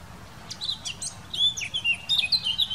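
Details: A Eurasian blackcap, Wittlich valley 2018, gives a quick chattering start that breaks into loud, pure fluted whistles, rising and falling in rapid succession.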